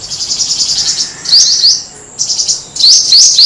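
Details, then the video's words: Black-throated Sunbird song, used as a lure for birds without a live decoy. A high, pulsing trill gives way to sharp downward-slurred chirps in twos and threes, with the trill returning between bursts. "Hút mật họng đen, tiếng hút mật họng đen chuẩn không tạp âm"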